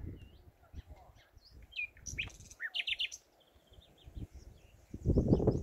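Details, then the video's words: Hidden common nightingale in a Dutch spring, 2019, giving varied quick chirps, whistles and dense high clicking bursts, with pauses between phrases and loud low thumping noise near the end. "Nachtegaal, je ziet 'm niet, maar hoort 'm wel!"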